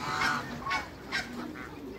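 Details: In a backyard, an African male goose and a Toulouse female paired to raise hybrids give short nasal honks, three or four spaced about half a second apart, over steady low background hum.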